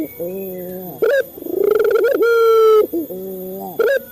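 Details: Male local Barbary dove, used as a lure to train captive doves to call: a long level coo, a sharp rising note, a pulsing swelling coo, then a long steady tone, with a lower quavering note at the start and end.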